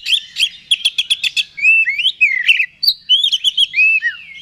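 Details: Oriental magpie-robin song played to provoke a rival: a fast series of sharp clicks, then sweet rising and falling whistled phrases.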